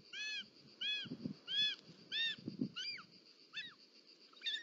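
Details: At a snake eagle nest in the Ports natural park, Catalonia, in July 2024, a short-toed snake eagle mother arrives with a snake. Repeated arched whistled notes fall into squeals, with low rustling thumps and a steady high electronic whine beneath.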